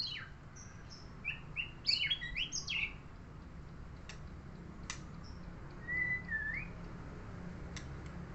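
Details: A neighbour's murai (shama) gives a rapid series of sharp, varied chirps and short whistles, several clicks, then a single smooth wavering whistle, over a steady background hiss.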